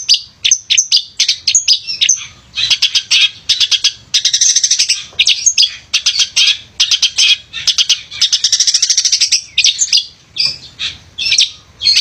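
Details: Male long-tailed shrike singing busily to coax lazy shrikes into song: long flowing stream of varied high chirps, trills and rattles with only brief pauses.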